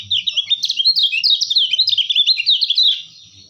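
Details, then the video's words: White-eye known locally as kecial kuning, recorded as a master song for trapping: loud, hurried, high-pitched twitter of tumbling chirps and short trills lasting about three seconds, then fading, with a few faint low thuds. "masteran terbaik burung kecialkuning"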